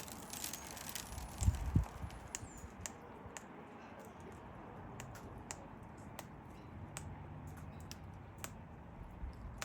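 Irregular dry clicks and tapping, like keys or light handling, over a low rumble, with a brief louder knock near the start and no animal voices.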